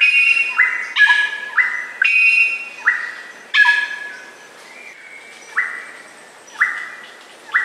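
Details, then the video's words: Greater racket-tailed drongo in song, mixing harsh metallic buzzy bursts with level whistled notes that begin with a quick upswing; the phrases come fast at first, then slow to spaced single whistles. "Suara Burung Srigunting Batu (Greater Racket-Tailed Drongo)"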